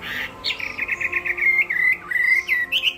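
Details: A Chinese hwamei in a singing contest gives a burst of quick trilled notes that runs into long, clear, sliding whistles ending in a rising flourish.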